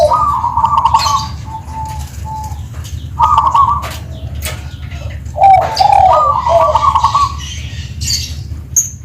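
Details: Lively singing from a Tuban perkutut (zebra dove) with a 'crystal' voice: groups of clear, even coos separated by pauses, with a few dipping notes and scattered high chirps from other birds in the background.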